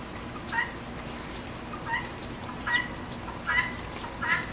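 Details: Guinea hen calling at a backyard feeder in the rain: five rough, slightly quieter squawks at uneven intervals, with rain noise throughout.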